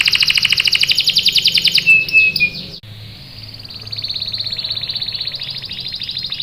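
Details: Canary song to encourage young canaries to join in: a fast, dense high trill, a brief dropping whistle, then a softer sustained rolling trill after a cut.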